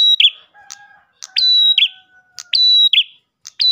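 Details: Ash tailorbird calling hard, used as bait for other tailorbirds. Bright level whistles break into buzzy descending notes, repeated at uneven intervals, with soft lower tones underneath.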